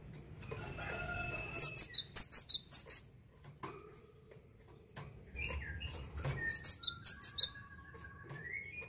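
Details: Cinereous tit song: quick high ringing double notes repeated in a tight series, twice, separated by softer whistled and buzzy calls from other birds.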